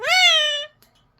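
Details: Indoor pet parrot mimicking bye: one smooth, rising then gently falling, nasal drawn-out syllable of about two thirds of a second, followed by a faint click.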